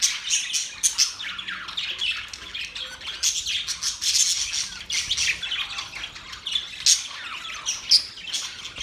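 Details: Budgerigars chirp happily in a steady, overlapping warble of sharp high notes and scratchy squawks. Loudness pulses irregularly throughout, with no breaks.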